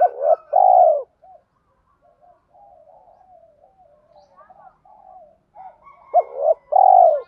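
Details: Lure spotted dove with a deep 'thổ' voice. The clip opens with loud double coos, then a stretch of soft warbling murmurs, then another loud rising-and-long coo phrase.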